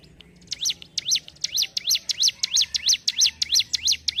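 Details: Mountain prinia (ciblek gunung) singing in the vigorous gacor ngentrok style: after a short quiet start, a fast run of about thirteen high, sharp V-shaped chirps, each dipping then rising, roughly three per second.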